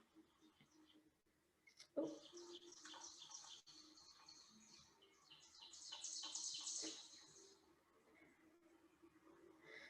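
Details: Two Ovenbirds (Seiurus aurocapilla) sing in woodland, one louder and near, one farther away, recorded by a unit strapped to a tree: rapid repeated two-note phrases swelling louder toward the end, over a quiet background with a sharp knock.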